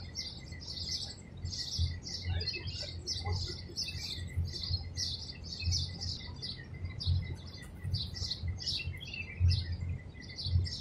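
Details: Chicks sit inside a palm tree hole in Abu Dhabi, UAE, as a Madagascar hoopoe feeds them: dense, continuous stream of sharp high chirps, a few softer lower notes, steady thin tone and low background rumble.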